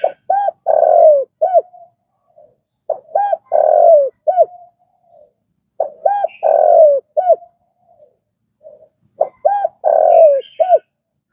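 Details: Spotted dove calling, a recording meant to train caged decoy birds: four matching phrases about every three seconds, each of short arched coos around a long descending croo, ending on a rounded note.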